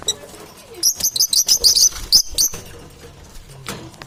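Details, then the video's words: Parrot gives a rapid burst of high, sharp chirping notes, about a dozen in under two seconds, followed by quiet background rustling. "Competition for survival Parrot"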